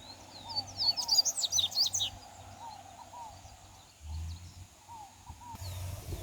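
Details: Double-collared seedeater singing in nature: a quick, high twittering burst of sharp sweeping notes, followed by softer scattered chirps, with a steady low hum underneath.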